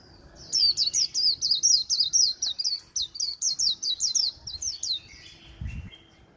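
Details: A captive white-eye that sings all day pours out a fast, very high twittering warble of thin, rolling notes, about two per second, with a soft thump near the end.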